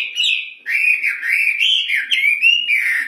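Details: Loud, clear whistled song of a Chinese hwamei (wambi): fluid, wavering phrases that rise and fall and run almost without a break, with a short pause early on and faint buzzy overtones.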